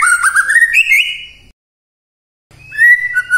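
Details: White-rumped shama morning song meant to provoke silent shamas into singing: clear whistled phrases rising from low to higher pitch, then a pause and a renewed sliding whistle.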